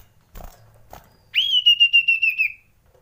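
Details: Common iora frightened calling, a lure sound: one long, high, slightly wavering whistle held just over a second, quickly pulsed along its length, after two soft clicks.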